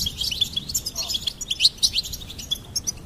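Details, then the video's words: Rapid, jingling goldfinch song: a steady stream of high, bright chirps and liquid twitters delivered almost without a break. "Goldfinch Singing and Song Compilation"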